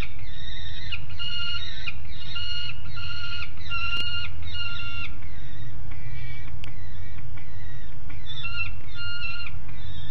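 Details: Juvenile peregrine falcon calling loudly from the nest grate in Alphen aan de Rijn on 30 July 2016, around 12:30. Repeated harsh, harmonic wailing calls follow each other about every half second to second throughout, with constant low rumble behind.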